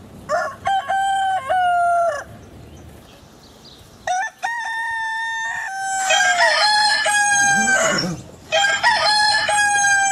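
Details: Rooster crowing at dawn on a farm: several long harmonic crows, each about one and a half seconds, rising then held steady, with brief pauses between and an overlapping second crow near the end.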